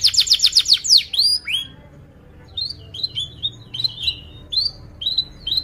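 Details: Canary song meant as a lure for juvenile canaries learning to sing: an opening rapid trill and a few sweeping notes, then after a pause softer, scattered short chirps.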